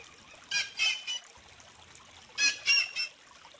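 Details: Song of the whistling heron, Syrigma sibilatrix, of South America: two sets of three rapid, rasping notes about two seconds apart, the second set louder, over a quiet background.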